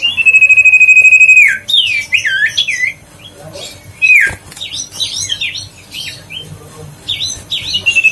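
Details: Huyt co bird (chim huýt cô) lure song for prompting a lazy bird to sing: a long sustained whistle opens, then a burst of fast, jumbled high chirps and slurred notes, another brief whistle, and more scratchy chatter.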